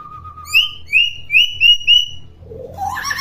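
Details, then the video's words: Common hill myna, kept as a chattering tutor bird for young mynas that are not yet vocal, giving a run of clear whistled notes, slurred and upward-sliding, after a steady lower whistle, ending in a burst of broadband noise. "BURUNG BEO GACOR CEREWET"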